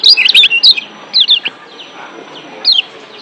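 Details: Lombok white-eye, wild yellow kecial in breeding excitement: a burst of quick high twittering notes, then scattered short slurred whistles separated by quiet gaps.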